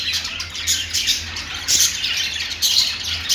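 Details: Budgerigars chirping in uneven bursts about once a second, scratchy twitters and squeaks layered into a busy chorus over a faint low hum.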